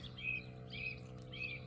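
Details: A song thrush sings in the background of a UK flowering meadow in early July, three short, bright, whistled phrases about half a second apart, over a low outdoor rumble.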